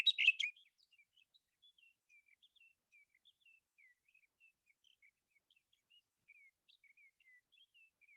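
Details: A sage thrasher on Marble Hot Springs Road sings a long, run-on string of thin, high, falling notes copying a Sora's descending whinny; a brief loud burst opens the recording.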